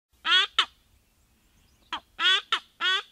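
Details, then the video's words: White-bellied bustard calling in Tsavo East, Kenya: harsh, nasal, croaking notes in quick long-short pairs, repeated about every second and a half, with only a faint low rumble behind. "White-bellied Bustard Calling"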